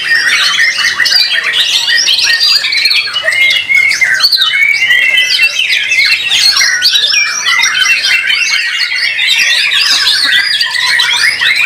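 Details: During a bird singing competition, a white-rumped shama sings long and steadily, stringing rapid whistles, buzzy notes and quick repeated chips into one continuous performance against a busy chorus.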